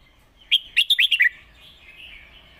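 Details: Competition Red-whiskered bulbul singing a clearly laid-out master song, meant for teaching young birds: a burst of five or six bright, fluttering whistled notes in quick succession, then a thin, fading tail over a quiet background.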